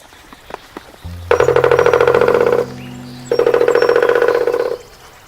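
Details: Male pileated woodpecker in a wooded backyard on Whidbey Island, Washington, drumming on his favourite sounding board to call his juvenile: two rapid, resonant, almost metallic drum rolls, each about a second and a half, over a low steady hum.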